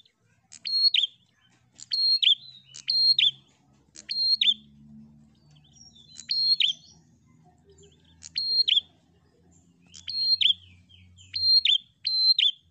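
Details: A flock of prinias chatters insistently to stir up a rival: a sharp click, a steady high whistle and a falling twist, repeated about every one to two seconds, with a low hum beneath.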